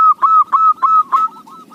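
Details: Local zebra dove with a voice fit for luring: four loud, clipped coos with slurred endings about a third of a second apart, trailing into softer notes.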